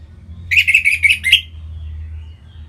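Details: Caged orange-headed thrush from Singaraja, North Bali, singing to prompt other birds to sing: a quick run of five buzzy, chirping notes within about one second, over a steady low hum.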